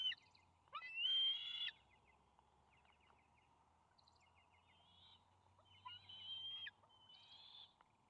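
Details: Bald eaglets squabbling over a delivered fish at their nest, May 28, 2020. One loud, harsh, rising squeal, stuttering chip series, then softer wailing whistles later on.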